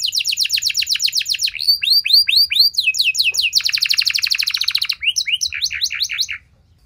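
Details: Canary singing long and loud to draw responses from other canaries: fast chattering notes, a string of falling whistles, a dense buzzy trill, then short sweeps before it stops.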